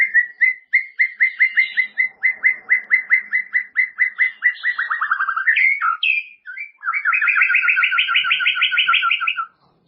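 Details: Caged-bird training recording of white-rumped shama song: a steady series of repeated whistled notes speeding into a descending run, a few sharp upswept notes, then a quick doubled trill at two pitches.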